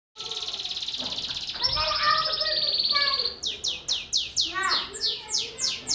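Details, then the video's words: GulSir cross canary from Parachinar, 2022, in full rolling song: a sustained high buzzy trill, then a rattling roll, then a fast series of sweeping descending whistles, about four each second, over a steady background hiss. "GulSir qanary Cross gulsir full singing rolling sounds"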